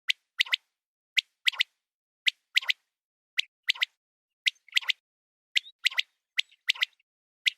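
A quail gives sharp, clipped high notes in quick groups of two or three, repeated roughly every second against a silent background.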